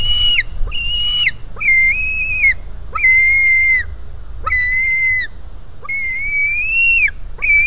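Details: Hungry white-tailed eagle chick at its nest, 4 July 2018, begging from its mother; a regular series of loud, level whistled squeals, each about half a second to a second, some rising at the end.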